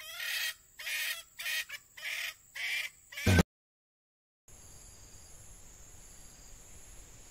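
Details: A captive male red junglefowl used as a decoy, moulting, gives five harsh, raspy crows in quick succession, cut off abruptly, then a steady hiss with thin high-pitched insect tones.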